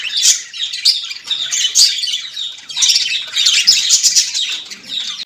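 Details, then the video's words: Budgerigar chatter, the Australian parrot's voice: a busy, unbroken mix of shrill chirps, squeaks and warbled notes rising and falling in bursts from several birds at once. "most beautiful parrots voice ll Australian tote ki voice"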